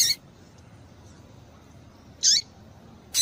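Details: Double-collared seedeater female calls: three loud, brief, sharp notes at the start, middle and end, separated by over a second of quiet, played so that males begin calling back.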